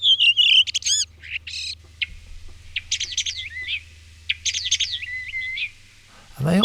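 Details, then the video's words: Common starling singing near its nest under the roof of a blue hut, flapping its wings in display, sometimes on the gravel ground: a rambling jumble of high whistles, clicks, rattles and slurred notes, with a steady low hum and a brief harsh sound at the end. "singing Starlings"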